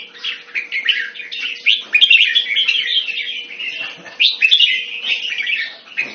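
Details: Caged red-whiskered bulbul in Singapore, kept Thai style, February 2018, pouring out a dense, rambling warble of overlapping chirps and slurred whistles with little pause, a soft electrical hum underneath.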